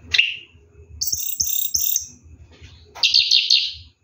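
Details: Orange-headed thrush bathing at night with ngeroll song: a brief chirp, a series of thin high whistled notes, then a bright twittering burst after a pause.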